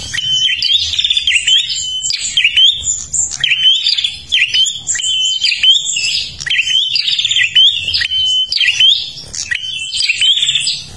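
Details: A Kalimantan prinia sings steadily for luring other birds, giving rapid buzzy twittering phrases that each end in a rising whistle, delivered in tight bursts with brief gaps and a faint low background hum.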